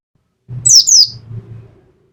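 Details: Caged white-eye of the Pacitan type, in the yellow-breasted form, in a bout of 'nembak' rapid-fire singing during daily morning care. Two short, very high, sharp descending chirps in quick succession, with faint low rumbling beneath.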